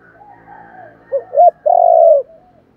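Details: Spotted dove cooing for luring wild birds. A faint murmur leads into two brief rising notes and a prolonged low coo. A soft tail note closes the phrase.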